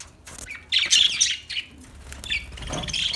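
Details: Budgerigar chatter: a loud burst of harsh, squeaky warbling notes followed by softer rising chirps over faint background rumble.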